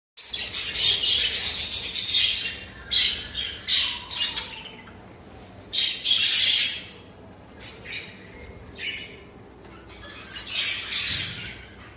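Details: Several male exhibition budgerigars in a flight cage, soon to be moved to breeding cages, chatter together in bright, scratchy warbles and squawks, bursts coming every second or two.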